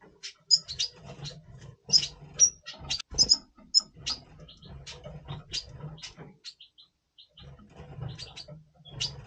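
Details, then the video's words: Double pastel red siskin singing in pre-breeding condition in November 2023, giving a long series of quick thin high chirps and twitters, clustered early, pausing briefly, then resuming sparser, over a faint low background hum. "Red Siskin 🦩Double Pastell 🔥FeuerZeisig before Breeding - Voice Brutstimmung"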